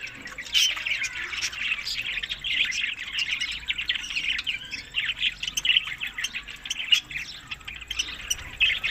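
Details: Budgerigars in Larkana, Sindh, eating summer food in May to June: a dense, continuous warbling chatter of many overlapping chirps and squeaky notes, with short sharp tweets rising above the steady flock babble.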